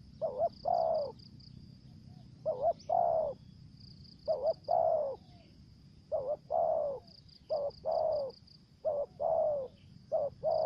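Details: Lure spotted dove cooing in thổ dế, kèm dập and mai rừng styles. Rapid series of about seven phrases, each a clipped double note followed by a rounder falling coo, over a continuous high-pitched insect trill.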